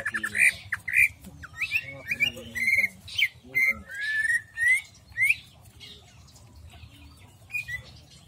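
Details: Greater green leafbird delivering jamstrok song: clear, sweet whistles, some rising, some falling, several drawn out, interspersed with brief scratchy notes, fading to quieter calls toward the end.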